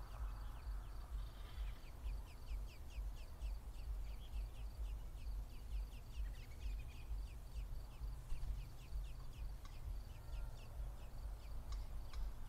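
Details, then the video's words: American robin male bringing garden insects to its single chick at a nest in an apple tree, filmed with a mounted camera: rapid series of thin, high, downslurred peeps continue throughout, with some louder chirps mid-way, over steady low rumble. "Robin male feeding baby"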